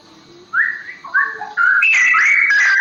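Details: Straw-headed bulbul from the forest singing in the rolling ropel style: loud, liquid whistled phrases that step upward, then break into a rich, bubbling warble that runs on to the end.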